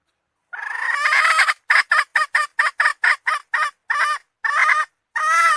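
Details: Hen calling: a long, harsh, wavering note for about a second, then a run of short, loud, clipped squawks at a quickening beat, ending in another drawn-out note.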